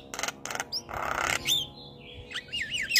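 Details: Javan myna kept in a cage, singing on a training track for lazy birds: noisy rasping bursts, then a thin steady whistle and a rising, looping warble at the end.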